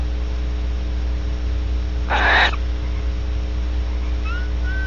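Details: Female barn owl after mating, Audubon Starr Ranch, California: a single harsh breathy wheeze lasting about a third of a second, followed by faint thin whistled notes near the end, with constant low hum beneath.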